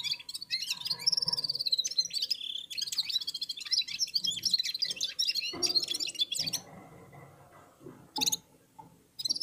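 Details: Red-fronted serins, with other birds, warming up their song together: a long, continuous run of high, jingling twitters and warbled notes, fading near the end before a few sharp chirps.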